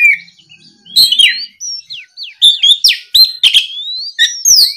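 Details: Energetic Oriental magpie-robin song used to lure a rival bird into replying, with rapid varied whistles, upward and downward slurs, and scratchy chattering notes packed closely together.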